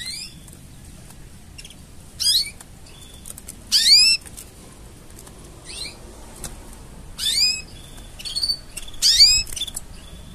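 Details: Canary singing mating sounds for song training: separate bursts of fast, steeply falling high sweeps and buzzy trills, coming every second or two with quiet gaps between.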